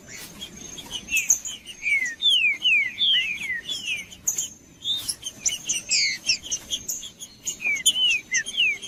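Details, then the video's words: Green-winged saltator singing to stimulate a male: bursts of rich whistled phrases, each a quick run of downward-sliding notes repeated two or three times, mixed with high sharp chips and clicks, and a steady thin high tone throughout. "Trinca-ferro Macheando 🔥 Trinca ferro cantando Para Esquentar Trinca ferro"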